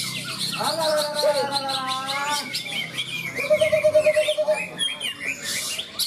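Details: At a greater green leafbird (cucak ijo) class of a songbird contest beside a field in Malinau, North Kalimantan, one bird sings a fast, varied run of clear whistles and rich warbled phrases, with other birds and crowd chatter behind.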